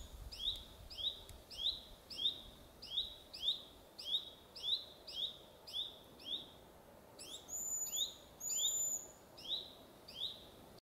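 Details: Fledged, well-flying young Eurasian pygmy owl (Glaucidium passerinum) begging in July 2025 in Stolowe Mountains National Park, Sudeten, Poland: thin hissing high notes about two per second, steadily repeated; another bird briefly adds higher whistles.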